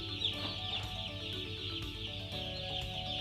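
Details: Broiler chicks producing a dense wash of high peeping, calls blurred together into one continuous shrill band, with a low rumbling hum beneath.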